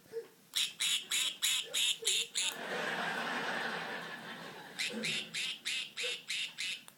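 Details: A pet budgerigar playing with its toys imitates its toy duck's quack with a quick run of harsh, nasal notes, about three each second.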